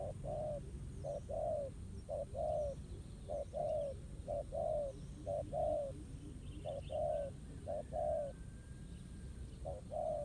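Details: Spotted dove responding to a ground decoy during trapping. It gives a long run of paired mellow coos with a short pause midway, while faint thin calls of other birds and low noise are heard.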